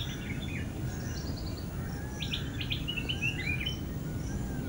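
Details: At End Point, Manipal, a flame-throated bulbul gives a lively cluster of short, bubbling chirps near the middle of the recording, with faint scattered notes before it and a low continuous rumble underneath.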